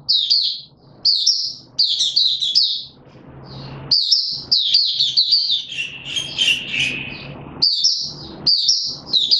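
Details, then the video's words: Caged male white-eye pushed on form, opening song on 31 December 2021: repeated high twittering phrases, a lower, wider squeaky passage midway, then more rapid high notes over a low hum. "Mata Puteh - Raja V2 Pushing him on form buka sing"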